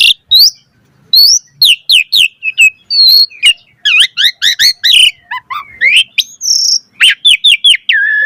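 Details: Asian pied starling singing a lively, highly varied song used to train other starlings to sing: rapid sharp whistled downslurs, upswept notes and buzzy bursts follow one another almost without pause, with brief gaps between phrases.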